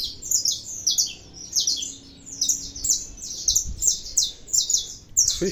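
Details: Saffron finch singing steadily: bright, high chirped phrases repeated in quick succession, each a short sweeping burst, forming a lively continuous twitter with faint low background hum.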